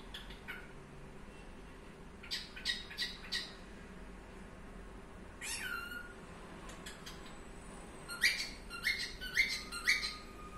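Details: A pet cockatiel in seemingly good spirits gives clusters of harsh, scratchy chirps and short downslurred whistles in quick bursts, ending with a busier run of calls over a quiet indoor background.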